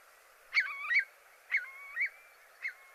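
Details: A Eurasian Curlew gives three clear, fluty 'curlee' calls, each rising then sliding, spaced about a second apart, ending in a bubbling sound, against a quiet background hiss.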